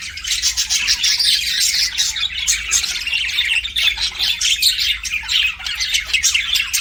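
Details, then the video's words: Chirping pet budgies, a steady stream of scratchy warbles, squeaks and short whistles with small dips in loudness, over a soft low hum. "BUDGIES CHIRPING SOUND"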